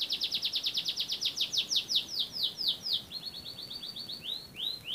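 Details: Singing canary from Central Java, Indonesia: a long rolling trill of steeply descending high notes, then a quicker flatter trill, ending in two broad swooping whistles.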